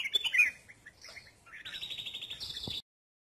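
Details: Red-whiskered bulbul sunbathing, opening with a bright chirped phrase, then soft scattered notes, then a sustained buzzy trill that rises slightly before stopping abruptly.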